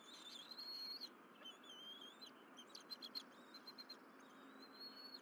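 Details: Bald eagle family eating fish on the Berry College nest, April 2023 morning. A high whistled squeal, then a rapid burst of short stuttering chips, followed by another drawn-out rising whistle, over a low hiss.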